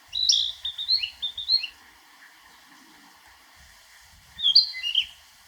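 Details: Narcissus flycatcher from Niigata Prefecture, Japan, singing a long run of quick whistled and warbled notes that rise and fall, then a pause and a shorter whistled phrase.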